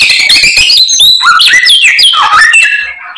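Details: A white-rumped shama in energetic song, full of mimicked phrases. Quick bright whistles swoop down, then climb back up, mixed with crisp clicks in a dense unbroken stream that fades at the end.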